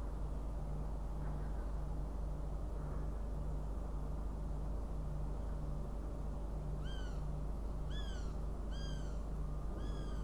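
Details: Riga, 29 June 2016: a northern goshawk starts calling after a long stretch of steady low droning noise, giving four quick downslurred, reedy calls in the last few seconds.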